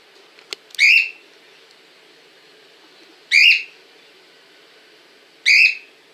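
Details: Cockatiel filmed in Montpellier, giving loud shrill calls: three bright, rising-then-falling whistled screeches spaced roughly two to two and a half seconds apart, with a faint click beforehand and quiet background.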